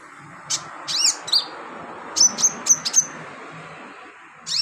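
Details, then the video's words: Sunbird kept for song training, singing as filler song for other birds: scattered thin, very high chirps and sharp ticks, then a quick run of four bright whistled notes, over low background murmur. "BURUNG KOLIBRI/CONIN GACOR buat isian"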